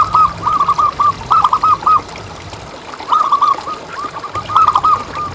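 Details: Zebra dove of local stock with a strong voice, used as a lure: two phrases of rapid, clipped cooing notes, each about two seconds long, over low hum.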